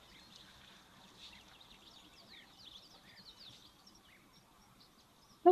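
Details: European bee-eaters, probably flying overhead at a waterhole in Tembe Elephant Park in the afternoon of 18 December 2024, give soft, rolling, liquid trills in loose overlapping bursts over steady hiss, ending in a sudden loud knock.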